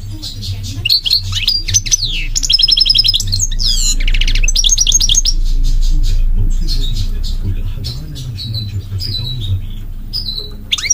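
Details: Goldfinch singing: rapid high twittering phrases mixed with clear whistled notes and buzzy trills, some notes sliding downward, delivered in dense bursts over a steady low hum.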